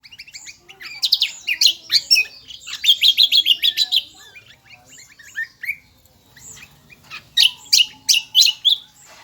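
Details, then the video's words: Kecial kombo, a bird described as endemic to Lombok island, singing loudly and shrilly: fast runs of high chirping notes rising and falling, bursts of rapid chattering, then a short pause before another sharp, repeated phrase. "burung kecial kombo gacoorrr melengking"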